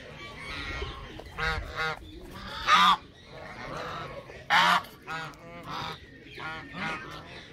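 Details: Several Canada geese calling, loud clipped honks in irregular bursts roughly every second, two especially strong, ringing honks rising above softer overlapping calls.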